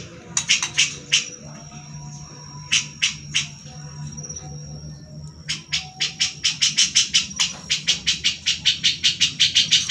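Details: Grey-cheeked bulbul (Alophoixus bres) song: bursts of sharp, high chattering notes, about three per second, with a thin sustained whistle, over a faint low hum.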